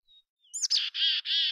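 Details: Mountain chickadee in natural habitat giving a short chick-a-dee phrase: a thin whistle, a quick rising chip, then two loud, broad, buzzy 'dee' notes.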